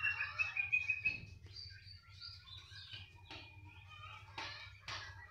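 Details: Canary singing steadily wherever it is placed: an opening fast rolling trill, then varied chirps and short whistled notes with sharp upward sweeps, over a constant low hum.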